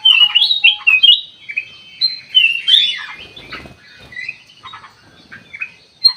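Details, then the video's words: Lure recording of ruby-throated bulbul meant to provoke an immediate reply: busy run of bright, warbling chirps and slurred whistles, some overlapping, with a brief rustle midway and quieter notes toward the end. "burung kutilang emas buat pemikat langsung respon"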